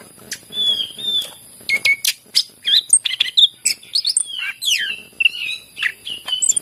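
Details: Greater green leafbird song intended to prompt other leafbirds to sing: sharp clipped notes giving way to rapid slurred whistles and chattering phrases.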